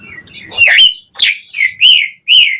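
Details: Asian pied starling song as a lure to make other starlings sing: a few loud arched, slurred whistles with harsh edges, spaced about half a second apart, with faint low background noise.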